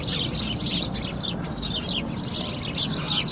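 Sparrows chirping in a busy overlapping chorus of short, bright notes, several a second, over a low background rumble.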